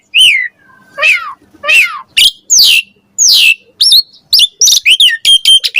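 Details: Javan pied starling song meant to coax and tutor young starlings, made of long slurred descending whistles followed by quicker sharp chirps and squeaky notes, loud and clear without background sounds.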